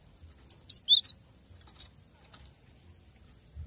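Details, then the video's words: Cinereous tit song from a master recording used to train captive birds. A single rapid phrase of three high, clear whistled notes, each sliding upward, followed by quiet with faint background rustles. "Masteran gelatik batu agar makin gacor"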